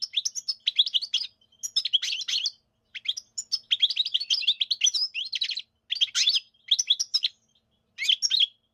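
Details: European goldfinch song, a fast tumbling stream of bright tinkling twitters and buzzy trills delivered in phrases of one to two seconds separated by short pauses, all high-pitched and liquid, with no other sounds.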